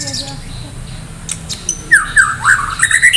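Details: Medan white-rumped shama singing hard, ready for a singing contest: a quiet start with faint clicks, then loud, rich whistled phrases swooping up and down.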